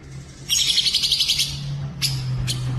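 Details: From a training mix of cucak jenggot, cililin and canary, a bird gives one fast, bright, buzzy trill lasting about a second, followed by two sharp clipped chips against a constant low hum.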